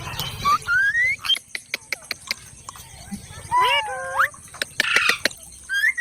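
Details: Parrot voicing a rising whistled glide, then a cluster of bent harmonic talking sounds and a brief rough squawk, with frequent sharp clicks throughout.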